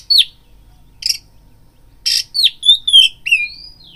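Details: Caged oriental magpie-robin lure song for stirring fighting mood: separated harsh scratchy notes, then a lively string of whistled downslurs and a long rising whistle near the end.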